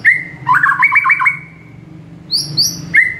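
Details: White-rumped shama singing in the morning, a training song for caged birds: a long level whistle, a quick burst of warbled notes, a pause, then higher clipped whistles ending in another clear whistle, over a low background hum.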